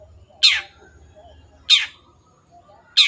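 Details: Long-tailed shrike calling with three rough, scratchy, descending notes spaced about one and a quarter seconds apart, evenly timed and clear.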